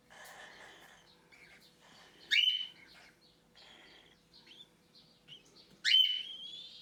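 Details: Cockatiel chick begging during its first hand-feeding, hours after removal from the nest box: two loud, harsh, upswept squawks about three and a half seconds apart, softer chirps and faint hum between.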